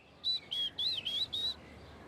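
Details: Short-toed treecreeper in a Parisian park, calling back in reply to a song just heard: a quick phrase of five loud, high, thin notes, some flat and some wavering or dipping, delivered within about a second and a half over faint background hiss.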